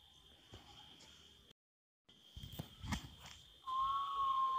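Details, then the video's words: Common potoo, a nocturnal bird, gives one long, clear, mournful whistle near the end, with a steady high insect hum and some rustling footsteps throughout. "Canto do Urutau ( Mãe da lua )"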